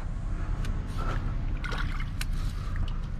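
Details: A deep rumble of flowing water in a blocked drain, with gurgles, trickles and scattered clicks throughout.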